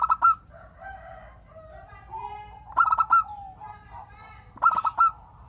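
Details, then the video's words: Local zebra dove from Indonesia in active song, played to lure other doves into answering. Three clipped, rattling coo phrases stand out over a busy background of softer, wavering coos from other birds. "Perkutut Lokal Gacor Untuk pancingan kutut perkutut agar saling bunyi BERSAUTAN"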